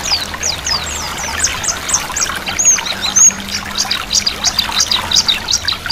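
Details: Several white-eyes give quick, high, thin twittering phrases, chattering and overlapping without pause, over a steady trickle of flowing water deliberately combined with the birdsong.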